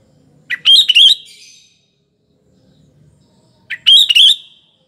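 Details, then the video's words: Sooty-headed bulbul in full song, used as a lure for morning, afternoon and night: two matching bubbly, chuckling phrases, each opening with a short note, spaced about three seconds apart, with near silence between. "BURUNG KUTILANG GACOR || Coba untuk PANCINGAN PAGI, SORE & MALAM HARi"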